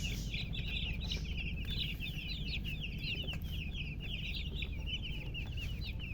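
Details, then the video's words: Loud peeping from newly hatched chicken chicks, continuous clustered high chirps that rise and fall, several chicks calling together, over a constant low droning hum. "Tot Murgi chicks chirping sounds Just Born Baby Gallina FRACAS Chicks Piar Loudly Sound"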